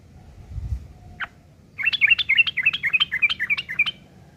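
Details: Coarse ngeriwik chatter by a yellow-vented bulbul, used to tutor long-tailed shrikes: one lone note, then a steady, fast train of about a dozen loud, grating chirps.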